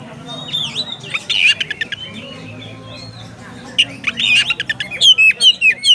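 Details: Oriental magpie-robin challenging a rival with scattered harsh squawks and short whistled notes, quiet gaps in the middle, then a burst of rapid descending chirps at the end.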